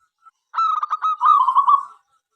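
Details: Single song phrase from a local zebra dove, used to invite other doves to sing: a run of quick staccato cooing notes that flows into a longer, warbling rolling trill, about one and a half seconds long.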